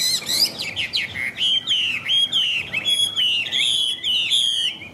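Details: Caged Chinese hwamei in full song, a dense stream of loud whistled notes with quick downward and upward slurs, mixed with sharp buzzy ticks, delivered almost without pause.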